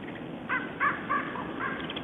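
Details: A common raven at a feeding ground shared with small birds, Siga, 10 January 2012, gives a quick run of four or five harsh, nasal caws, each about a quarter second apart.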